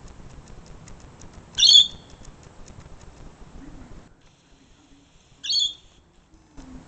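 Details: On a balcony in Sydney, a lorikeet gives two short, shrill screeches about four seconds apart, harsh and high-pitched, over a faint background hiss; lorikeet.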